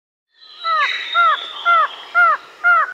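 A White-shouldered Antshrike gives five nasal, arched, rich notes about half a second apart, over a faint steady insect hum.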